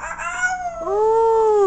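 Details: Pet male parrot showing off its mimicry with a loud, drawn-out howl-like cry: a wavering tone gliding downward, then a long, steady, clear note held to the end.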